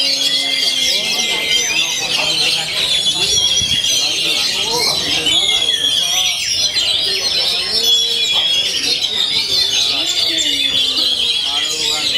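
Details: Oriental magpie-robin, said to sing hard daily without going quiet: a long run of high, varied whistles and trills with some sharp sustained notes, over faint lower voices and background sounds.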